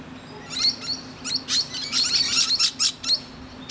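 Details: Musk lorikeet perched on a tree branch, resting and chatting to other birds: shrill, screechy high chirps in short bursts, about eight clustered bursts over four seconds with brief gaps, and a faint steady low hum beneath.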